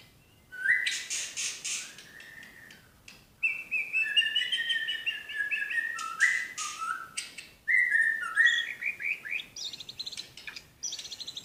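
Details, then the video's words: White-rumped shama from Medan in a burst-style 'tembakan' song: loud, rich whistled phrases, some rising and some falling, with short trills. Separate bursts are split by brief silences, and the phrases turn higher and more varied toward the end. "tembakan burung murai batu medan"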